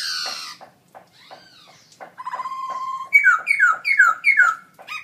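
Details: ['Loud song of a caged black-throated laughingthrush, gold award winner at a birdsong contest in October 2016: a harsh opening burst, scratchy notes and a held whistle, ending in a rhythmic string of downslurred whistles.']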